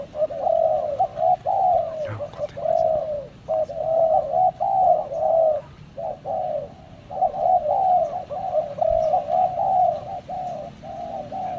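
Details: Spotted dove cooing in long, nearly continuous phrases of low, rounded, slurred notes, grouped in bursts separated by short gaps, a faint click near the start and light background hiss throughout.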